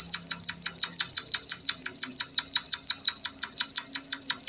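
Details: Java sparrow imitating canaries in song, a training and stimulation recording: one continuous high trill of sharp, evenly spaced notes, roughly three per second, with no pauses and a faint hum underneath.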